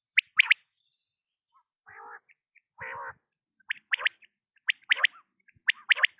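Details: Quail repeating crisp triple-note calls, broken near the start by two low, rough, buzzing notes, then resuming with three more bright phrases.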